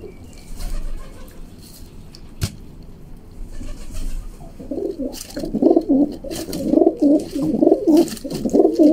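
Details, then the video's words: Cooing from a young female rock pigeon while it fights and pecks a hand: after a quiet start, a run of low, pulsing, bubbling coos repeats rapidly through the second half, with a background hum. "Young Female Pigeon Fighting Pecking and Cooing"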